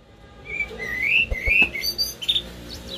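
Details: Common blackbird singing a short phrase of clear whistled notes, gliding and warbling between low and mid pitch, then ending in a few thin, higher squeaky notes; faint background hiss.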